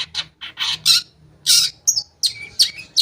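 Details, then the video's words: Long-tailed shrike song used as a lure to prompt silent shrikes to sing: harsh broadband rasping bursts alternate with short high whistled notes, given in an uneven run. "Pancingan Cendet Ampuh, Pancingan Cendet Bahan Atau Macet Bunyi, Cendet Macet Akan Ikut Bunyi"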